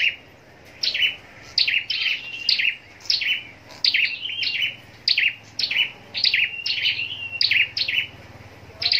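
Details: Caged scarlet-backed flowerpecker bred for singing contests in Long Thành, Vietnam, producing repeated high, sharp, falling tsit notes in irregular clusters after a quiet opening second.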